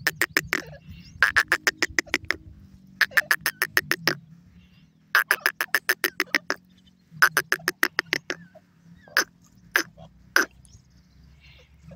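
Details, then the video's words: Francolin, known locally as teetar, giving bursts of rapid, evenly pulsed rattling notes, each run lasting about a second and repeated several times with short pauses, ending in a few isolated notes. "teetar awaz,partridge sound"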